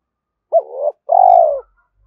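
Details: Spotted dove calling to provoke a rival, giving a short rising coo then a long smooth coo gently dropping in pitch; a faint low rumble sits beneath the second note.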